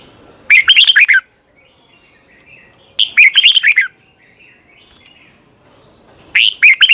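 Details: Red-whiskered bulbul singing in the morning, a long double twisted voice style used for training birds and as a decoy: three bursts of rapid, bright, chirpy warbled notes, spaced about every three seconds, with quiet gaps between.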